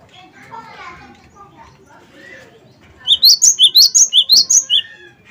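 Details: After a few seconds of faint background chatter, a cinereous tit (gelatik batu wingko) breaks into loud, bright, upslurred two-note whistles repeated rapidly for about two seconds.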